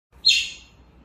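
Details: Baby grey parrot, a pet being hand-fed pellets one at a time outside its cage, gives a single sharp, high chirp that rises quickly then fades, in an otherwise quiet room.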